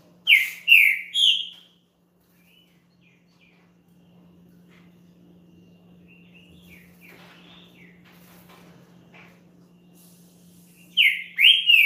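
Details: Champion green-winged saltator song, used to warm up another bird: a loud phrase of three sliding whistles, about nine seconds of near-quiet with faint soft notes, then the phrase again.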